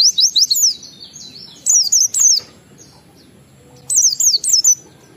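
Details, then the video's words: Oriental white-eye lure song, ngalas style, meant to set other white-eyes singing: short bursts of very high, zigzagging twittered notes separated by silent gaps of over a second. "Suara Burung PLECI Ngalas sambung wiksar Bongkar Isian memancing semua pleci cepat gacor buka paruh"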